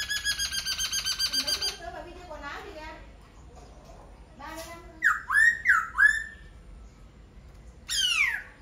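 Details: Laughingthrush singing: a buzzy, evenly pulsed harmonic phrase, a pause with softer low warbles, then loud slurred whistles rising and falling near the middle register, ending with a steep descending sweep.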